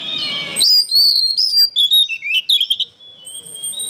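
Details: Oriental magpie-robin (kacer) song recorded as training material for songbirds: a loud burst of clear whistles and quick chattering notes packed closely together, then a softer sustained high whistle fading out.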